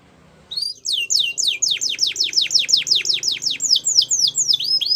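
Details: Belgian canary delivering a steady, loud series of sharply descending whistled notes, repeated about twice a second, with a faint low background hum.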